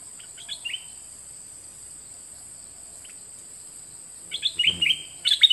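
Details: Two kept nok dok taeng songbirds singing in a 2020 recording meant for teaching young birds to copy the song: a few brief high chirps at first, then a louder burst of rapid, twittering, slurred notes near the end, over a steady high electronic whine.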